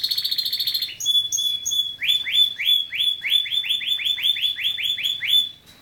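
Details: Loco canary song: a fast high buzzing trill opens, then a steady whistled tone, followed by a long series of rapid rising, swooping notes repeated about three times a second.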